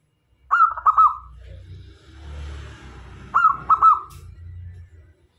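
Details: Local zebra dove singing as a lure to bring in male and female doves; two cooing phrases of clipped notes with a trailing coo, separated by low rumbling background noise.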